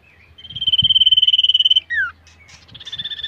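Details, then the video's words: Caged common iora under training for song contests gives a fast, even trill held on one pitch, a short falling slur, then resumes trilling, with faint low knocks beneath. "Melatih Mental Burung Cipoh ,Tes Mental Cipow Fighter"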